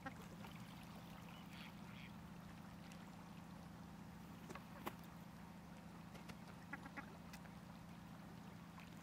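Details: Ruddy shelduck at Zbiljsko lake on 28 November 2023 giving a few scattered nasal, honking calls, short and spaced apart, over a steady low hum and faint background noise.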